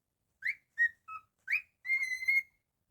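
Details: Pet cockatiel singing a whistled phrase: a rising note, a flat note, a short lower note, another rising note, then a long sustained level whistle, in a silent room.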